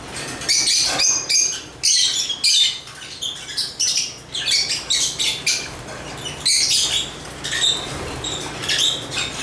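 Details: Busy singing from African lovebirds: a nearly continuous string of harsh, high squeaks and chirps, rapid and uneven, rising and falling in loudness, with a faint hum underneath.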